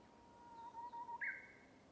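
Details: Song of the Japanese bush warbler, or uguisu, from a bamboo forest: a pulsing, low, drawn-out whistle in three swells, then a loud jump to a higher, ringing note that fades.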